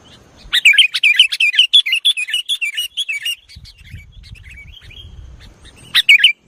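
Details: Sooty-headed bulbul song in the 'nggaruda' style, a fast run of loud bubbling, warbling chirps for about three seconds, then softer scattered notes over low rumble, ending with a short loud burst.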